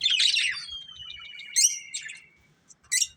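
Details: A budgerigar from a breeding pair gives a scratchy chirp burst, then a long thin whistle gliding downward, followed by sharp high chirps.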